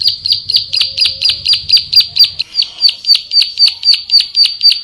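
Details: Bar-winged prinia song used as tutor material for training songbirds: a steady run of sharp, high chipping notes, about four per second, each a short downward-sliding chirp, with faint low rumble during the first half.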